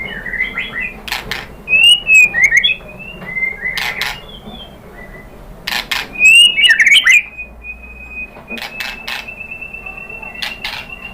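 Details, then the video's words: White-rumped shama, a lure song meant to provoke agitated shamas into answering: scattered whistled and slurred notes near mid pitch, separated by pauses, with short sharp clicks and a quiet background hum. "MURAI BATU jadi EMOSI NYAUT GACOR ¦ PANCINGAN MURAI ¦ SHAMA BIRD"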